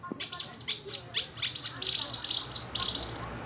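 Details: Male Javan mini wambi, a small local bird, produces a fast, very high scratchy twitter with downslurred notes that blend into a continuous shrill chatter.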